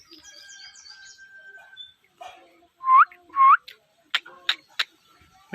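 A rose-ringed parakeet gives two loud, rising whistles after a soft, speech-like passage, followed by sharp clicks and short squawks.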